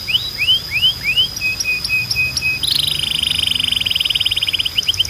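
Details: Belgian canary singing strongly and clearly for training birds: rising whistled slurs, a row of short level notes, then a long fast rolling trill, all over a constant thin high tone.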